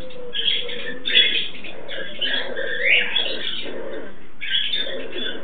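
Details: Pet Turquoise-fronted amazons (Amazona aestiva), a captive pair mating, give harsh raspy squawks and grating chatter in short bursts roughly every second or two, with louder peaks scattered through.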